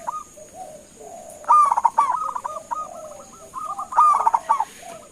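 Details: Local zebra dove call meant to prompt other birds to reply: two loud bursts of rolling, slightly wavering coos followed by trailing, softer notes, against a thin persistent hiss.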